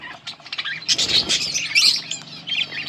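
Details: A yellow pair of budgerigars chirping: dense, scratchy warbled chatter with quick twittering notes, a steady jumble of high chirps that peaks near the middle.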